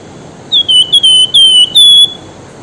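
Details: Javan white-eye calling to the opposite sex by a riverside: loud, clear whistled notes, each sliding slightly downward, given in a quick run of six with short gaps, over faint background hiss.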